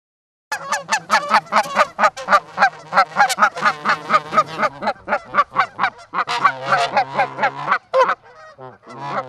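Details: Two Canada geese visiting an osprey nest at Charlo, Montana, on 4-7-18, recorded by a nest livecam: a rapid, steady run of harmonic honks, roughly three to four per second, continuing almost without pause.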